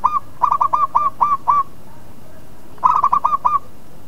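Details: Local zebra dove song played to provoke rival doves into answering: a fast string of short, ringing coo notes, about seven in a row, then a pause and a second burst of five near the end.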